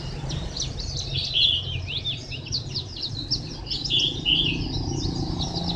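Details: White-eye singing at Phù Yên on 2 October 2015: a fast, continuous twittering of high, thin chirps and slurred notes, with a steady low rumble underneath.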